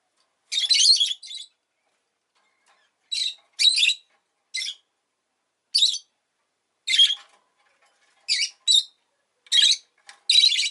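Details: Rosy-faced lovebird giving repeated loud, harsh, high-pitched chirps, about ten bursts, some paired in quick succession, with silence in between.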